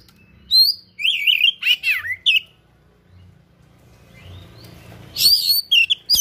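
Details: Oriental magpie-robin (kacer) singing 'gacor', filled with rare learned material: wavering warbled whistles and harsh notes, a quiet hissing stretch, then a loud final burst of song.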